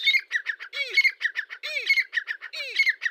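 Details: Grey francolin giving loud, harsh chattering notes in quick succession. A low, downslurred note recurs roughly every second beneath the scratchy series.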